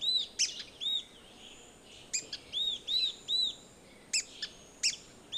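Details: Yellow-bellied tyrannulet giving clear, high, arched whistled notes in loose groups of two or three, broken by brief gaps and a few sharp, very high ticks.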